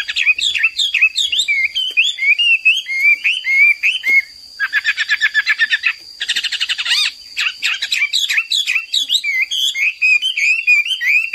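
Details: Hwamei, the Chinese laughingthrush, kept as a cagebird, singing energetically: a fast, continuous stream of high, varied whistled phrases with slurred rising and falling notes, broken by rapid repeated trill bursts, over a steady high electronic whine.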